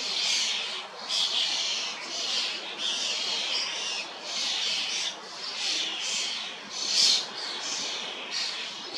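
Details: Hundreds of starlings, juveniles and adults, feed on an old sweet cherry in Hrodna city, western Belarus, on 2 June 2025; the young give grating, hissing begging rasps in rhythmic bursts roughly every second, many birds overlapping.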